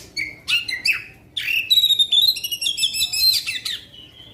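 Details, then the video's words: Oriental magpie-robin (kacer) giving long-shot song used to stir up other magpie-robins: a few sharp, sweeping whistled slurs, then a dense, bright run of rapid warbled and trilled notes lasting over two seconds, with faint background hiss. "Kacer Faekter tembakan panjang" pendongkrak emosi kacer lain"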